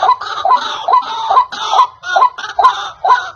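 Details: White-breasted waterhen lure call used in trapping: a handful of coarse, throaty croaks, each bending upward into a squeak, spaced about half a second apart with brief pauses between.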